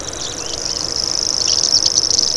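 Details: Common grasshopper warbler (Locustella naevia), a bird of grasslands and dense vegetation, giving its insect-like buzzing call: a continuous high, even reeling trill that barely changes in pitch and grows slightly louder, with some faint background noise.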